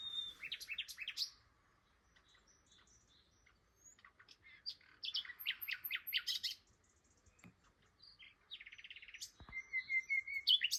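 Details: A common nightingale sings one morning at Flowersbrook, Isle of Wight, while passing through on migration to nesting habitat after wintering in Africa south of the Sahara. The song has varied bursts of rapid chirps, sharp notes and clear whistles, ending in a rising whistled phrase.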